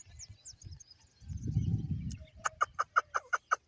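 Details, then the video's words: A parrot, possibly a pet, gives a quick run of seven harsh, clipped chirps, about six a second, after a low rumble of handling noise. "parrot ki piyare voice chirping"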